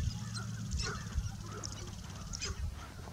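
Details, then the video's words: Sharp-tailed grouse at a lek in Michigan's Eastern Upper Peninsula during courtship display: short honking, clucking notes scattered over low rumbling wind noise. "sharp-tailed grouse lek"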